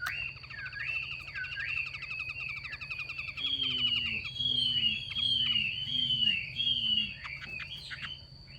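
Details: Female Chinese hwamei calling to excite males into singing: rolling whistled phrases, then a series of five bright descending slurred whistles about every 0.7 seconds, each with a faint lower echo, over a steady high-pitched tone.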